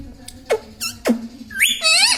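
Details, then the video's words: Pet Indian ringneck parakeet, a talking bird said to say mummy, papa and radhe radhe; after faint squeaks, a quick rising nasal phrase and a warbling high-pitched run close out the brief moment indoors. "indian ringneck parrot talking video"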